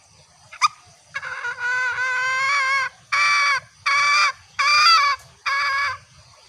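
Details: Female green junglefowl calling males, used as a lure: long drawn, harsh nasal notes, the first held nearly two seconds, then four shorter bursts about a second apart, with faint low rumbling beneath.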